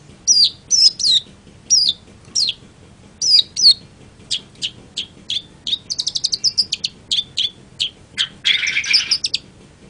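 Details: Long-tailed shrike (Lanius schach), song.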